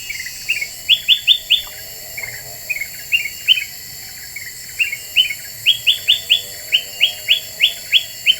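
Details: Black-winged bulbul lure recording, described as very vocal, meant to agitate other birds: series of short, bright chirped notes, each rising then dropping sharply, in quick bursts of three to six with short pauses between groups.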